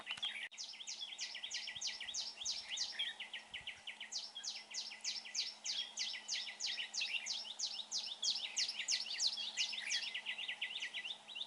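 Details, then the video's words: Red-whiskered bulbul at a trap, singing well: long unbroken series of bright, clipped notes, some sweeping up high, repeated about three per second with hardly a pause, above a low electrical hum. "Bẫy chào mào bộ đẹp. giọng hay. làm vỡ mồi siêu ché"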